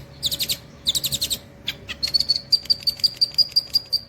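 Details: Long-tailed shrike in mimicking song: two scratchy, buzzy rattles, then a steady series of thin, high piping notes repeated about three times a second.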